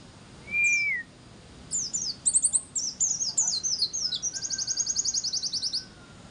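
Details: Lure song of a white-eye for drawing other white-eyes into song. A lower whistled slur opens, then high sliding chirps build into a fast, evenly repeated trill of sharp notes; a faint thin whistle sounds underneath.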